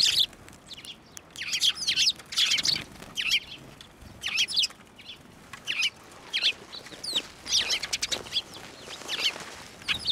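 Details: Sparrows flying onto a hand to be fed at a Tenmangu shrine, 11 March 2024; repeated bright chirping bursts throughout, irregularly spaced, several birds calling.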